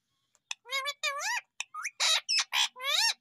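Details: A pet Indian Ringneck (rose-ringed parakeet) talks in about eight quick, speech-like syllables, some clear and tonal, others harsh and raspy, in a small quiet room.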